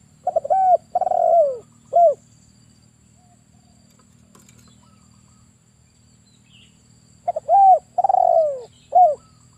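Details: Captive-use lure bird, a male spotted dove, calls twice with a long pause between: stutter notes, a bowed coo, a drawn-out falling trilled coo, then a brief end note. Quiet hum otherwise.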